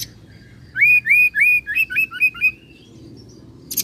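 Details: Rolled song of an oriental magpie-robin imitating cililin and serindit: about eight loud upslurred whistled notes in quick succession, a trailing thin whistle, then a short high burst at the very end.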